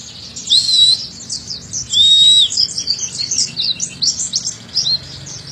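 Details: Oriental white-eye song played as training audio for young birds: two drawn-out high whistled notes, then a fast run of high chattering twitters and short warbled notes, with a soft low hum in the background.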